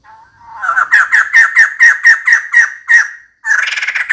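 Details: Female White-crested laughingthrush calling for a mate: about eleven loud, regularly repeated harsh cackling notes, a short pause, then a dense burst of fast, buzzy chatter.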